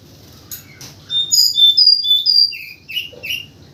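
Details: White-crowned forktail as a morning lure sound, calling actively: varied high whistles, some flat and drawn out, others rising then falling, strung into an irregular phrase, later dropping slightly lower in pitch.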